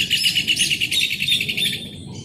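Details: Rufous hornero singing: a fast, loud series of sharp, ringing notes at a steady high pitch, pouring out at about six to seven per second before trailing off, over a low background rumble.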